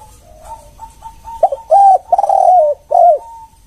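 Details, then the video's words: One-kuk style lure call of a spotted dove: soft, even lead-in notes build to stuttering pulses, a long wavering coo and a last downward-curving coo, with little else audible. "Suara spesial pancingan TEKUKUR KUK1"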